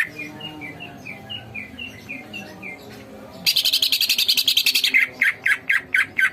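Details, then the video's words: Lively greater green leafbird singing: soft repeated chirps first, then a sudden loud fast series of harsh buzzing notes running into rhythmic whistled strokes. "masteran cucak ijo gacor"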